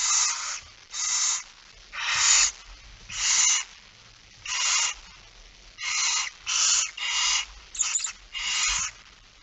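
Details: Barn owl nest at 21:14 on 6 September 2019, the male bringing the first mouse of the night: rough, hissing screeches repeated at uneven, roughly one-second intervals, about ten bursts, with soft bumps in the background.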